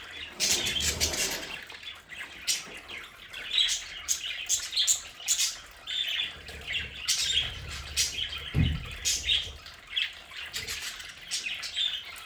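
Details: In a home play area, a group of pet budgerigars chatters on and off with scratchy warbles and sharp squawks, with occasional thumps and a low hum.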